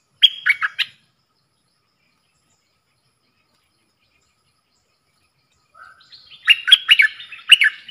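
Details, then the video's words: Singing duel between a caged red-whiskered bulbul in the dok taeng style and wild birds, Thailand, 3 October 2021: a short whistled phrase, several seconds of silence, then a longer, busier run of bubbling whistles. "เสียงนกกรงดอกแตงEp.82 ดวลเพลงกับนกป่า!!"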